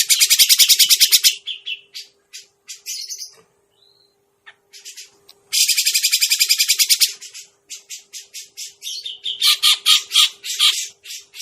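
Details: Lure recording of Grey-cheeked bulbul for bird trapping: two long bursts of fast, high rattling chatter separated by scattered short notes and near silence, ending in louder, buzzy, spaced calls, over a steady faint hum.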